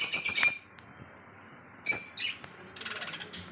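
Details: Lovebird in Kolkata uttering a harsh shrill chirping burst, a pause, then another sharp chirp and a softer scratchy chatter.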